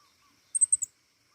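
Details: Brief phrase from a pentis raja flowerpecker: four rapid, piercing high notes stepping slightly downward, lasting under half a second.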